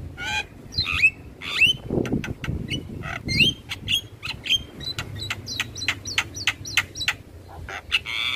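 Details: Javan myna singing in the morning, a tutor recording for young mynas: sharp vertical clicks and ticks mixed with short rising whistles and harsh notes in quick irregular series, over a low background rumble.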